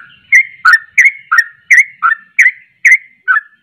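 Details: Sooty-headed bulbul singing vigorously: short, clear whistled notes repeated about three times a second, alternating higher and lower, each a quick slurred chirp, ten notes in a lively, even series with no other sounds.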